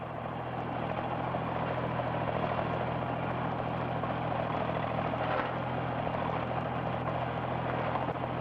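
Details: A continuous engine drone with a steady low hum and broadband roar runs throughout, like a helicopter or idling vehicle, with no animal sounds.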